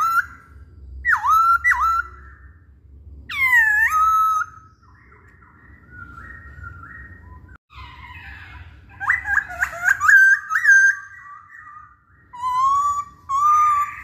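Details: Masked laughingthrush singing, played to provoke other birds to sing: loud, clear whistles that dip and then level off, broken by pauses and short bursts of chattering, rippling notes, with faint low background hum.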